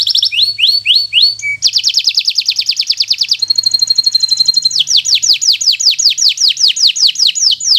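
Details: A bottle-green local canary sings as a master recording for learning birds: short falling whistles, a long rapid trill, a thin high buzzing stretch, then another quick trill of descending notes.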